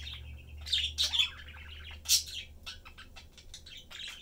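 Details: Pet budgerigar family of three, father, mother and young, chattering while eating and playing; scratchy warbled chirps and squawky bursts come in uneven clusters with short pauses, over a low steady hum.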